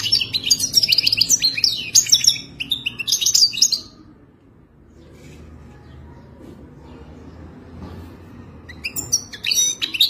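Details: European goldfinch from Morocco, Wadani type, described as wild: lively high twittering song for about four seconds, then near silence with faint low background hum, and a fresh burst of sharp chirps near the end.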